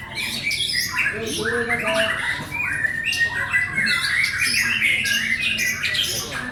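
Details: White-rumped shama pouring out a long varied song of whistled notes, harsh chatters and quick trills, phrases packed closely together over a low background hum.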